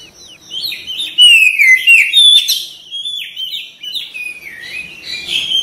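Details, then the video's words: Oriental magpie-robin song, gacor style: a run of varied whistled notes, slurred downward sweeps and quick chirps, loudest in the middle, with a thin steady high tone faintly in the background. "TERAPI KACER CEPAT RESPON GACOR BUKA EKOR"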